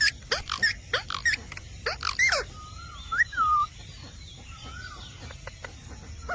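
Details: Indian parrot talking: a quick series of sharp, harsh squawks in the first seconds, then softer drawn-out whistled notes that rise and fall, with faint chirps over quiet background hiss.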